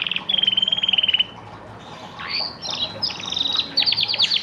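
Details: Orange pet canary, described as a super whistler, opens with a fast even rattling trill of about a second, then a short pause and sweeping whistles leading into quick bright chirps and another rapid trill.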